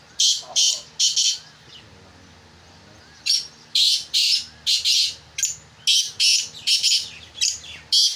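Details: Black francolin calling: harsh, rasping high bursts, a quick group of three, a pause, then a longer uneven run of grating notes, with a faint low hum underneath.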